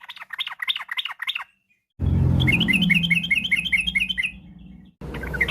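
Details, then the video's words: Yellow-vented bulbul in afternoon song, used as a lure to start other birds singing: bubbly chattering phrases, with the middle section partly drowned by loud low rumbling noise. "pancingan trucukan bahan biar bunyi gacor.! trucuk ropel, trucuk gacor fariasi, trucukan sore hari"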